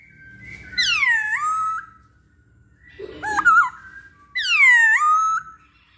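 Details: Masked laughingthrush (poksay Hongkong) pancingan lure song: two long, loud, rich whistles, each sweeping steeply down and then holding steady, separated by a quick warbled burst in the middle.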